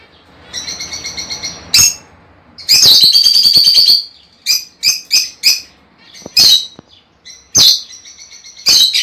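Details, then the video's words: Lovebirds, sound described as stimulating mating: thin high chirps, then a long rasping chatter, followed by a quick series of sharp screeches roughly every half second. "El canto más poderoso para estimular y estimular a las aves agapornis a aparearse y producir"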